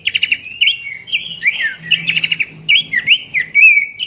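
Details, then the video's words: Babbler (pelanduk semak) melodious song used as a master song for training birds: rapid varied whistled phrases with slurred rising and falling notes, interspersed with short sharp chirps, continuous for about four seconds. "goyangan merdu khas burung pelanduk semak sang guru mastaren"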